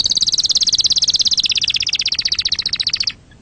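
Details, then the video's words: Canary song used to teach young canaries: one long, very rapid rolling trill lasting about three seconds that drifts slightly lower in pitch before stopping abruptly. "أحسن تغريد أصلي صافي و خالي من الأخطاء لتسميع فراخ الكناري"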